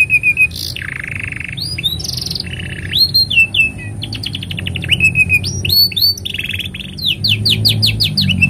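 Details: Canary song intended as a tutor model for young birds: steady whistled tones, rattling trills and quick rising sweeps follow one another in varied phrases, with a faint low hum in the background.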